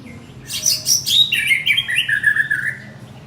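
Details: Male white-rumped shama calling his partner with a vivid phrase: sharp high chirps leading into a descending series of clear, rapidly repeated whistled notes, over a faint low hum.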